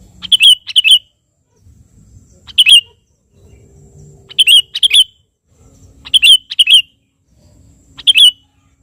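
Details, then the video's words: Sooty-headed bulbul calling a rival, meant to provoke other birds into singing: clean, bright double-noted warbled phrases, sometimes single, recurring about every two seconds against a quiet background. "suara burung KUTILANG GACOR memanggil lawan"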